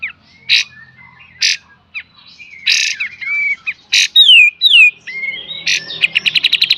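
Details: Olive-winged Bulbul (kapas tembak) master training song in 'full beset dan tembak' style: harsh rasps and slurred whistles, descending wavy whistled phrases, then a fast closing burst of sharp high ticks.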